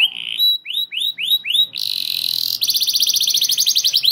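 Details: Canary song intended to trigger other canaries into long rolls; a few looping whistled notes, a brief hissing buzz, then a rapid, even trill of high notes.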